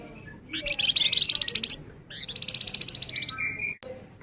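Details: Male flamboyan singing rapidly in the dense nyerecet rapat style: two long runs of very fast, evenly pulsed high buzzy chips, each run lasting over a second, ending in a short steady whistle.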